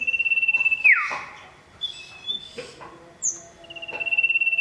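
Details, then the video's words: Male common iora calling a female: a long, steady, high whistle held for almost a second, then sliding sharply down. A second drawn whistle follows near the end, with faint chirps between them. "Cipoh Jantan Gacor Panggil Betina"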